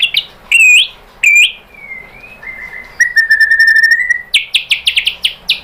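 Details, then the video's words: White-rumped shama song used as a lure to make a bird answer and sing, a varied run of whistles: sweeping notes, a long level whistle, then a quick series of high falling chips. "biar NYAUT dan GACOR MURAI BATU cocok pakai PANCINGAN ini"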